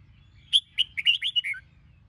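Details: Red-whiskered bulbul, Sông Kôn type, singing during morning voice training: one quick phrase of about eight bright whistled notes, rising and falling and ending on a lower slurred note, over faint low hum.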